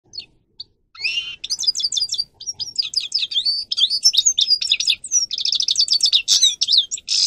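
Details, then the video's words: A European goldfinch, kept as a tutor bird for teaching young goldfinches to sing, sings a fast, continuous twitter of bright tinkling and buzzy high notes, rapid trills mixed with liquid chirps, with no other sounds. "goldfinch singing to educate young people"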